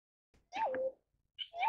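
A Pheasant-tailed jacana gives two nasal, cat-like mews. Each dips from a higher note and levels off, the second cut short at the end.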